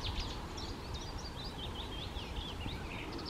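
A male Icterine warbler sings a fast, varied run of chirps, whistles and squeaky notes without pause, over a steady low rumble of wind or distant traffic.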